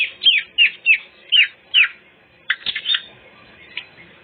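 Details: Greater green leafbird, song used as a lure for other birds: five bright falling whistled notes at even spacing, then a few harsher chirps and one faint final note.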